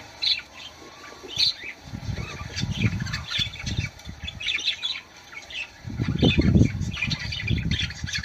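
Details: Budgerigar song meant to encourage mating: a steady stream of chirpy chatter and squeaky notes, overlaid by loud low thumping and rustling bursts partway through.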